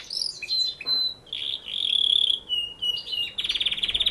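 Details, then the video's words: Singing canary: a short bright phrase of sliding whistles and a held, slightly warbling tone, then a fast rattling trill of evenly spaced notes at the end. "canary singing = canario cantando"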